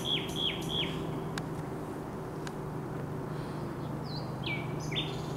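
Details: Common nightingale singing on 16 May 2023: three quick downslurred notes repeated at the start, then a pause and a later run of varied whistled phrases, over a steady low hum.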